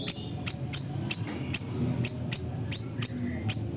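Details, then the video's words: In Pidie, Aceh, Indonesia, a siri-siri bird sings vigorously: bright, very high, downslurred chip notes repeated steadily about three times a second for nearly four seconds, with quiet low background rumble. "Burung Siri Siri Nembak Suara Gacor"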